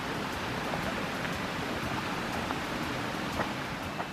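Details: A dense hiss like rain on a surface, with scattered soft ticks and no animal call heard along a forest road.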